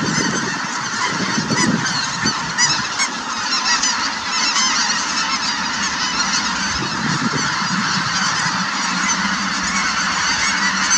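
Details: Snow Geese flying and very active at Merced National Wildlife Refuge, 3/4/2018; a loud, massed clamour of countless yelping honks layered together, swelling slightly in places, with a low rumble underneath.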